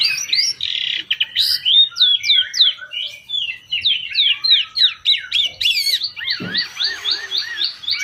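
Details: Long-tailed shrike song used as a lure to stir other shrikes: fast, scratchy chatter of slurred, hooked notes, then a series of repeated looping whistles, with a few faint clicks.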